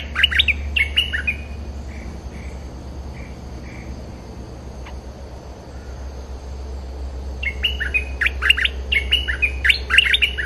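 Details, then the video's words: Bulbul (merbah lekir) chatters in lively bursts of bright, bubbly chirps and squawky notes at the start and end, with quieter soft notes between over a steady low hum. "suara pikat merbah lekir gacor"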